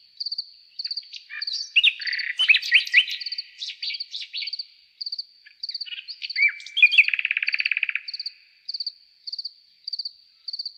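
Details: Nightingale song of varied sharp chirps and slurred notes, ending in a fast dry rattling trill, over a steady background of regular pulsed insect chirping.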